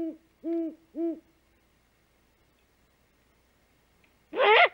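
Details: Female great horned owl returning to the nest at 5:41 am on 3 March 2018, making the food call while watching the male hunt: three soft, evenly spaced hoots, then a brief harsh, raspy burst.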